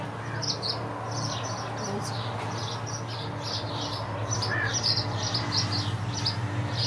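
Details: Tree swallows from occupied bird houses, with fledglings making their first flight. Bright, clipped chirps come in quick runs over a steady low hum. One lower, slurred note sounds partway through.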